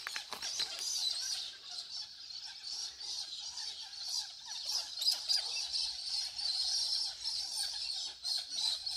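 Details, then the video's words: A flock of small Australian green parrots chatters nonstop, with overlapping high, scratchy chirps and warbles several times a second and no pause. "happy birds # Australian green parrots # life# beautiful sounds"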